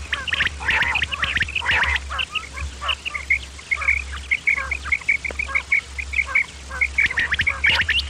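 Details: Common quail, male and female, recorded for hunters luring quail: short sharp notes repeated in quick runs, several birds overlapping in a dense chattering chorus with a low steady hum underneath.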